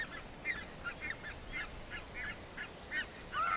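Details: Red-breasted goose, a colourful waterfowl: repeated short, sharp, yelping double-noted calls from several birds, overlapping at irregular intervals, with a louder call near the end over a steady background hiss.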